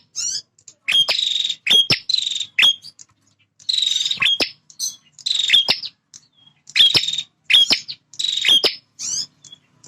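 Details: A male bar-winged prinia in full territorial song: roughly ten harsh, buzzing trills, most clustered in quick pairs, each punctuated by sharp ticks, with short gaps of silence between them.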